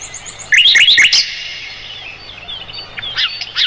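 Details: Mugimaki flycatcher song offered as tutor material for roll-tembak songbirds such as the white-rumped shama: a quick burst of high, sharp chirps and rising slurred notes for under a second, then faint scattered twitters.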